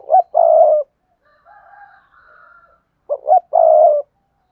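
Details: Spotted dove calling in sa thúc, bowing-coo and song styles meant to draw in wild doves: two quick notes and a drawn-out purring coo, a quieter wavering coo between, then the same phrase again.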